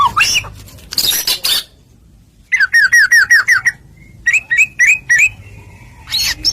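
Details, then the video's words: White-rumped shama singing loudly as a lure: a rising whistle and harsh rasps, then a quick string of repeated downslurred whistles, then a bubbly run of short notes. "Putar sebentar burung murai apapun langsung ikut NYAUT"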